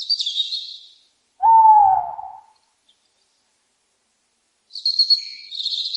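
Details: Owl calling: a clear whistled hoot near the middle that slides gently downward for about a second, between harsh, hissing high bursts at the start and end.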